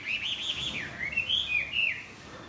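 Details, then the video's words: Morning song of a Chinese hwamei beating its wings: one continuous, clear whistled phrase that wavers high, dips, then climbs again in slurred, rolling notes over a quiet background. "Hoạ mi đập cánh chào buổi sáng"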